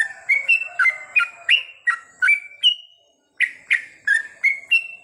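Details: Yellow-vented bulbul at night with lively whistled phrases of sharp-edged notes that rise and fall. One breaks off into a brief silence before the rapid sequence resumes.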